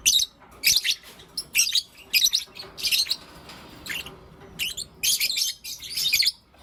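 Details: Blue Opaline and Lutino Opaline lovebirds chirping in the morning, a lively run of loud, harsh, high-pitched chirp bursts coming roughly every half second without pause.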